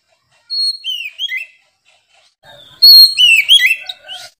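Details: Kacer, the white-rumped shama, noted for a loud, clear, unceasing song: a short phrase of falling slurred whistles, a pause, then a louder tumbling burst of looping whistles and chatter, ending in a sudden knock.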